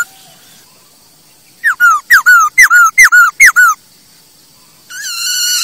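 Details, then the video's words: Masked laughingthrush song used to lure and train other birds: after near silence, eight loud whistled notes in quick succession, each falling then leveling, followed by a harsh buzzy drawn-out call. "Poksai hongkong"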